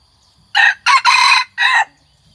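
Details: Crowing of a hybrid red junglefowl aged one year, white-earlobed form; four loud raspy syllables in quick succession, the third held longest, the last slightly lower, on a still background.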